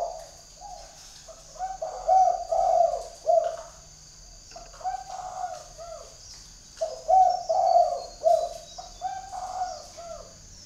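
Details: Tame decoy spotted dove in northern Vietnam calling to a distant wild dove in the forest: three rolling low cooing phrases of several notes each, with a faint high hiss.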